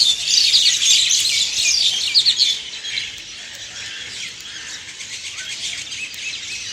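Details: Wild birds chirping in the early morning: a dense chorus of high, quick twittering notes, loudest over the first two and a half seconds, then softer overlapping tweets from several birds.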